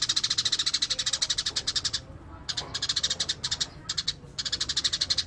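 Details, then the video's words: Eurasian tree sparrow singing actively: a dense two-second chain of rapid, scratchy chirps, then shorter chirp bursts with brief pauses. "Burung gereja gacor master alami"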